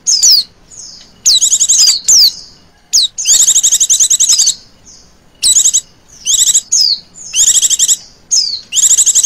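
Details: High chattering trills from a female Oriental white-eye, used as a lure for other birds, mixing long pulsed bursts with short descending whistles in an irregular, energetic sequence.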